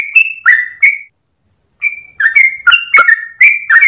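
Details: Sooty-headed bulbul at dawn, tail wagging, singing long 'ropel' song for training birds: a few whistled notes, a short silence, then faster overlapping high and low whistles with clicky onsets.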